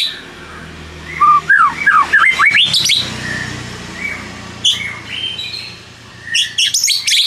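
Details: White-rumped shama song played as a lure to stir rivals into answering. Rising, swooping slurred whistles climb quickly, followed by scattered short notes and a final burst of high chirps.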